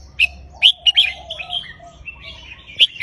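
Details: Caged red-whiskered bulbul singing counted song phrases to rouse birds, with sharp whistled notes spaced through the clip, bursts of chatter, and a final bright whistle.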